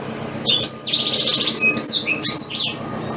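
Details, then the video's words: Black-throated canary song used to train a white-rumped shama: a fast buzzy trill followed by sharp, high, up-and-down slurred notes, steady background hum. "Suara Asli Blackthroat Pas Buat Guru Murai Batu"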